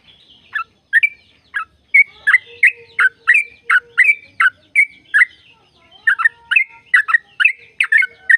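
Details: Lively yellow-vented bulbul song used to spur caged birds to sing: choppy runs of bubbly, throaty notes with short whistled tones, a soft steady hum beneath, and a brief lull before a denser final burst.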